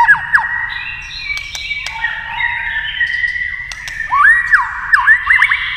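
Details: White-rumped shama in a singing contest with a TV: overlapping steady whistled tones, then loud swooping notes that dip and rise, repeated several times near the end.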